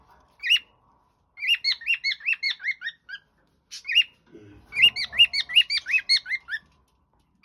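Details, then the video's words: Cockatiel kept as a pet giving a lively string of short whistled notes, rising then dipping, delivered in two fast bursts separated by a brief pause and a soft low rustle. "my cocktail bird whistle sound Cockatiel"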